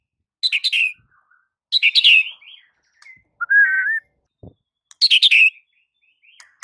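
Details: White-rumped shama song used to train a silent shama that immediately takes to it: short bursts of rapid, bright chattering notes alternate with a clear, slurred whistle, separated by pauses, with a faint knock.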